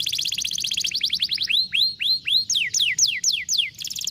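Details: ["Canary singing a 'vara de pescar' style song played to coax a lazy canary into singing: a rapid high trill gives way to slower looping upslurred notes, then steeply falling whistled sweeps, ending in a fast trill again."]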